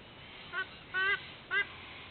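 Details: Sydney white-bellied sea eagle calling from the nest at dawn, 06:04, 13 October 2024: a short honk, a longer drawn honk, then another short one, all nasal and goose-like.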